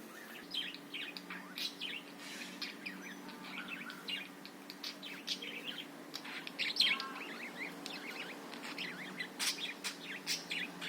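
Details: Budgerigar chatter played to provoke other birds to sing: constant jumble of bright chirps, tweets and scratchy squeaks, now and then a louder sharp note, over a low steady hum.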